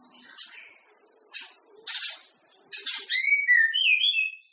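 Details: Before a singing contest, a white-rumped shama song to set other shamas off: several sharp, harsh clicking notes spaced apart, then a run of sweet, fluting whistled phrases at the end.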